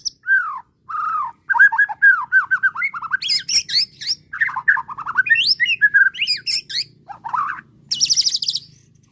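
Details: White-rumped shama, agitated by a bait recording, answering with varied song: slurred whistled phrases around mid pitch, quick repeated downward notes, rising chirps, and a closing burst of high buzzy trilling.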